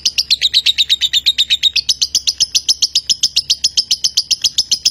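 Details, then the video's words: Konslet lovebird from Nganjuk, Indonesia, in prolonged continuous singing, a fast even chain of shrill high chirps, roughly four per second, dipping slightly in pitch early on. "LOVEBIRD KONSLET"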